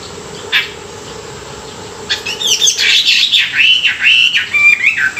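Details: Chinese hwamei singing in the morning as song training; following a brief note and a pause, a loud, fluent string of swooping whistles and rolling phrases runs continuously for about three seconds.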